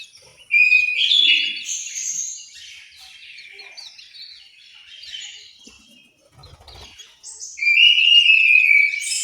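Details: Orange-headed thrush in an aviary at Malang, East Java, opening with a loud rolling phrase, trailing into softer chattering notes, then a strong sustained whistled phrase at the end.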